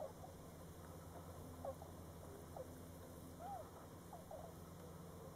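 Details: Tundra swans at Forsthe National Wildlife Refuge: faint, soft mid-pitched hooting calls, each a short arched note, given singly about once a second over a steady low rumble of background noise.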